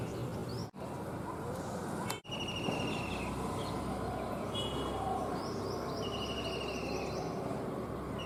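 A kingfisher gives thin, high, rapid trilled call series, each lasting about a second, over heavy steady background hiss with a couple of abrupt cuts.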